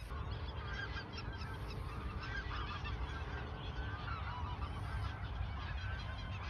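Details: Ochsenmoor nature reserve, autumn 2022, just before the southward migration: a large gathering of geese produces a steady wash of overlapping honking calls, with a low rumble underneath.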